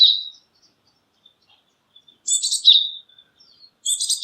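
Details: Japanese tit calling in high, scratchy bursts that close with a clear whistle, with soft faint notes in between. Two full phrases follow an opening tail of another.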